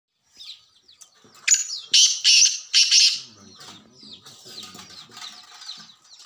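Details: Black francolin calling: a short series of four loud, harsh, grating notes packed close together in the middle, set against a background of many thin, high chirps from other small birds.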